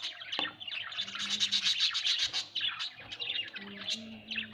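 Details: Budgerigars at home keep up a continuous chirping warble of quick, scratchy notes, with a faint low droning tone in the background.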